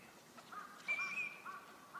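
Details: Wintering Eurasian teal on a park pond at Junsai-ike green space, Chiba, Japan, March 2025. One drawn-out high whistled note sounds mid-clip, with lower soft nasal notes before and after it over a hissing background.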